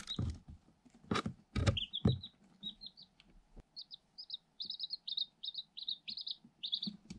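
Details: Eight day-old Light Sussex chicks, incubator-hatched, in a cardboard box, recorded on a GoPro Hero 7 Black. Loud pecking taps against the box and camera come first, then quick, high, bright peeps in rapid clusters.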